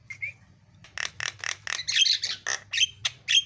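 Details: Javan myna (jalak kebo) song for training other mynas, with 'isian' fill phrases: two short whistles, then a run of rasping, chattering notes mixed with sharp high whistles.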